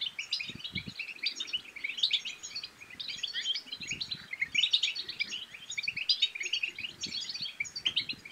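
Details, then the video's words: European goldfinch song used to stimulate other goldfinches to sing and mate: a dense, continuous twittering of quick high chirps and trills, with faint low knocks underneath. "بتبتات الحسون بتبتة تنطق اي حسون كان صامت سيغرد"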